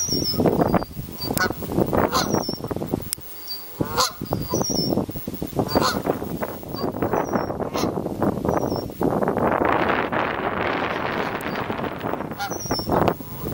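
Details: Canada goose families giving repeated harsh honks and grunts in a noisy chorus, interrupted by a steady rushing, wind-like noise in the middle and thin high chirps from small birds throughout.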